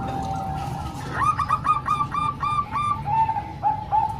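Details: Zebra doves, three Bangkok-type and one local bird mixed for training young birds: a rising note leads into a fast run of bubbling coos, then slower drawn-out cooing notes, over faint low hum.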